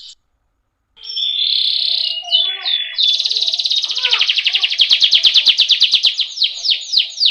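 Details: Canary singing a rolling training song to prompt other birds: after a brief pause, a sustained buzzy whistle, a short broken phrase, then a long rapid trill that slows into separate falling notes.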